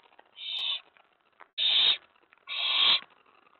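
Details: Excited owlet calling from inside its nest box late on a May 2017 night when another owl arrives on the tray: three rasping, airy hisses, each under half a second, separated by brief quiet pauses.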